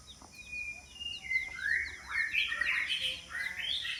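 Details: White-rumped shama decoy song for luring rival birds: a series of short high chips and slurred whistles swelling into dense overlapping warbles, over a hissy background.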